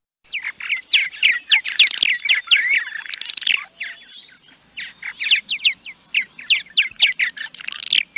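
Purple Martin giving rapid, rich, gurgling chirps and creaky warbles, several notes each second, with a brief pause midway before the chatter resumes.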